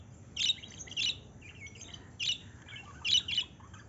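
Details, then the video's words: Lovebirds give sharp, high, squeaky chirps in short bursts, about five over four seconds, with softer twittering between them. "Love birds sound"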